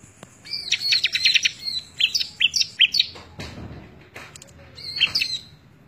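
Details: Bar-winged prinia singing, in a May 2017 recording for training other birds: a quick run of high, ringing chips, then a few separate sharp, falling notes, a short pause, and one last whistled phrase.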